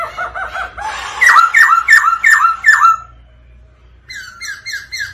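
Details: Black-throated laughingthrush male, excited by a rolling female call, sings and displays: a stuttering phrase, then five loud down-slurred whistles about every half second, a short pause, and softer repeated whistles.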